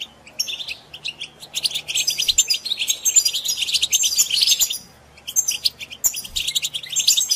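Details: European goldfinch song for encouraging captive goldfinches to sing: a quiet start building into a long rush of rapid twittered and trilled notes, a short pause, then more chattering phrases over a faint low hum.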